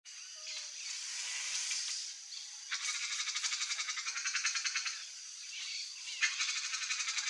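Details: A young wild turquoise-fronted amazon (Amazona aestiva) gives harsh, raspy calls broken into rapid rattling pulses, with short pauses between bursts.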